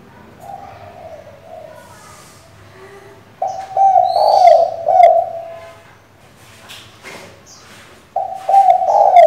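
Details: Female spotted dove calling the male to provoke a decoy bird: quiet low cooing, then two loud, rough, pulsing coo phrases, with high chirps and clicks from other birds.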